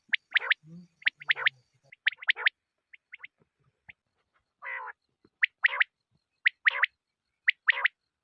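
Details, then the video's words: Quail sound from a hunting lure recording: clipped, piercing notes grouped in twos and threes at about one-second intervals, broken by a lower, harsh rasping note and a soft low murmur near the start. "QUAIL SOUND"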